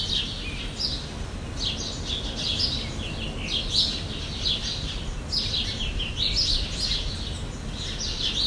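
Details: Jandaya parakeet (Aratinga jandaya) in Brazil: a run of harsh, scratchy screeches, several birds overlapping almost without pause over steady low background rumble.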